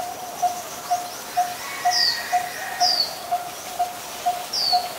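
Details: Monotonous hollow tonk notes from a Coppersmith barbet in Ubon Ratchathani, Thailand, 23 January 2020, about ten in steady rhythm, while another bird adds high, thin, downslurred whistles overhead.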